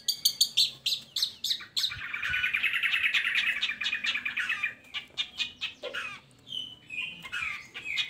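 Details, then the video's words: Long-tailed shrike song meant to prompt reluctant shrikes to sing: fast chattering notes leading into a long, dense, scratchy rattle, then varied sharp chips and short whistles. "Pancingan Buat Burung Cendet"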